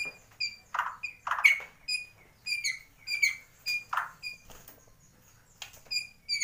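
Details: Borneo Gembung white-rumped shama, endemic to Kalimantan, mimicking swiftlet, sparrow and lovebird: thin high squeaky chips in spaced bursts, with a few louder harsh notes.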